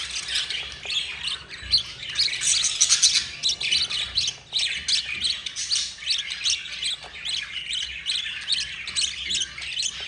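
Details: Yellow mother budgerigar feeding her four babies; the chicks keep up a long run of hoarse, buzzy chirping, densest early, then settling into steady rapid pulses.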